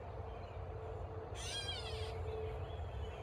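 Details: Catbird directing a single harsh, rasping squawk of under a second at a man, set against a constant low background hum.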